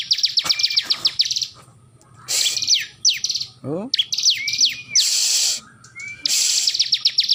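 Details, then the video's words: Bar-winged prinia, known locally as ciblek, singing steadily while held in its owner's hand; high thin rapid trills and sweeping whistled notes in bursts, with a brief low voice and handling rustle between phrases. "ciblek gacor ||di tangan saja burung ini masih tetap bunyi"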